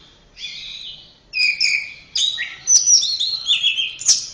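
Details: Orange-headed thrush giving a buzzy double-toned phrase, then a series of loud, clear, slurred whistles and warbles that rise and fall, ending on a sharp high note.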